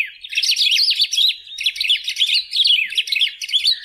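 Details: Sustained, lively warble of a golden-billed saltator, many fast rising and falling chirps strung together in pulsing waves without pause.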